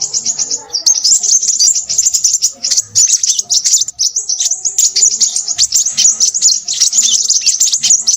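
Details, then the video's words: Crimson sunbird singing restlessly, a rapid chatter of very high, needle-thin notes and trills packed tightly together, with a brief lull partway through. "burung sepahraja ribut"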